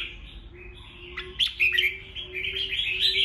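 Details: Red-whiskered bulbul song for provoking rivals to sing: a soft sustained warble, then sharp whistled notes and a lively rising chatter toward the end, over a low constant hum.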